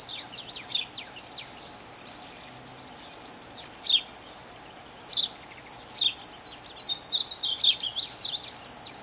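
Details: Painted bunting calling for a mate: several sharp, high metallic chip notes spaced a second or more apart, then a quick, jumbled, high-pitched warble lasting about two seconds near the end.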